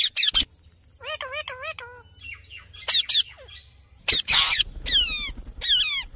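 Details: Ringneck parrot giving sharp harsh squawks mixed with a quick series of wavy, rising-falling whistled notes and descending screeches, with a faint low hum beneath.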